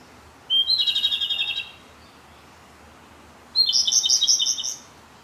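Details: Japanese robin on the last day of a six-day stay at a field, singing nearby in dim light: a thin lead-in whistle then a fast, bubbling trill, repeated once after a three-second pause.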